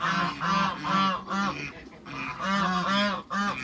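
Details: Hybrid Cayuga-mallard ducks give strong, rhythmic, rasping quacks in quick runs of two or three, with a short gap between groups.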